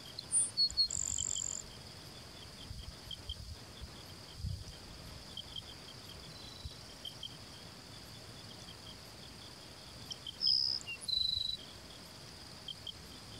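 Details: Grassland sparrow in the San Rafael reserve, Itapúa, Paraguay, November 2016: short thin high whistles with a buzzy trill, heard early and again after ten seconds, against a constant shrill insect chorus.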